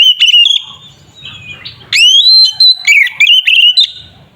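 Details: White-rumped shama (kacer) singing an aggressive fighting song meant to provoke other shamas into emotion: loud whistled phrases with rising sweeps and rapid warbled notes, separated by a quieter pause.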